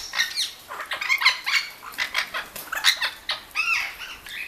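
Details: Orange-winged amazons kept at a bird garden on Lake Balaton squawk while bathing: a steady series of harsh, nasal screeches and chattering notes about twice a second, with some wing-flapping.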